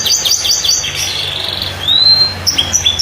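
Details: Canary (kenari) singing a long, unusual song: quick descending chirps, a buzzy run, then a clear rising whistle followed by short sharp notes, with a steady low hum behind.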